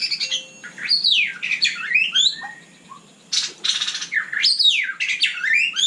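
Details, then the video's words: White-rumped shama in night song, sweeping whistles that climb and fall steeply, interspersed with harsh buzzy rattles and brief low notes, nearly continuous with one short gap. "Kicau malam murai batu super GACOR"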